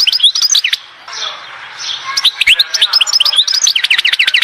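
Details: European goldfinch at Oued Zhour, Skikda, delivering cheerful twittering song: clusters of high slurred chirps, a short hushed gap, then repeated rising-and-falling notes in quick succession.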